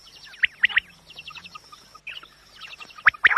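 Quail giving sharp, bright notes in quick clusters, with busy small-bird chirping and a steady thin high whine behind.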